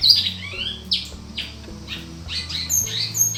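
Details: Male Great-billed Seed-Finch, a captive bird bred from a named pair, sings a varied string of sharp, whistled and slurred notes with short pauses between phrases, over a constant low hum.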